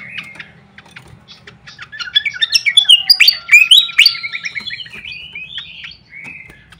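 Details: Fantail flycatcher lure call: quiet chirps grow into a loud, fast chattering series of sweeping whistled notes in the middle, easing off into soft whistles.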